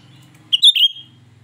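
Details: Shrill song of a cucak rante, used to lure other birds: one brief, piercing high whistled phrase of two or three slurred notes, the last trailing off, over a steady low background hum.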